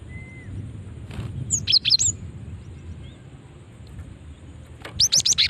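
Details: Female cinereous tit lure call: a group of three high chirps in the middle, then a rapid string of four bright rising notes at the end, with faint low background noise.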